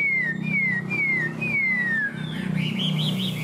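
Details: Chinese hwamei kept tame in a cage in Vietnam: four loud, clear downslurred whistles in quick succession, followed by softer bubbling warbles, over a steady low droning hum.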